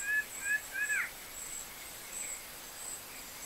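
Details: Plain-winged antshrike (Thamnophilus schistaceus) in Parauapebas, Pará, Brazil: three quick, slightly rising nasal notes within a second, then quiet, over a steady high insect hum.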